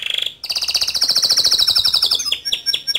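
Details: Male canary's gacor song with ngerol and nembak: short high trill, brief pause, then a long rapid rolling trill of bright pulses, closing with a few separate sharp down-slurred chips.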